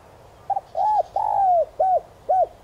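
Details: Spotted dove cooing as a decoy to excite wild doves, in the 'son' voice style: a short stammered note followed by four mellow hooting coos, the middle one long and drooping. The background is quiet.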